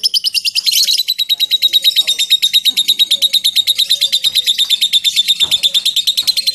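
A lovebird gives a long, high, rapid chattering trill, sharp ticking notes running steadily without a break.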